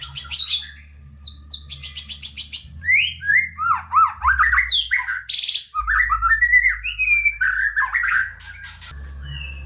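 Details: White-rumped shama singing a full, varied song used to stir lazy, unspirited shamas into singing: rapid buzzy trills, then looping whistled phrases that rise and fall, with sharp high notes between, in a quiet indoor setting with a low hum.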